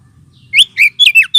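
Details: Oriental magpie-robin lure call, also played as therapy for birds short on aggression: a rapid run of five bright, rich whistles within about a second, swooping up and down, over a faint low hum.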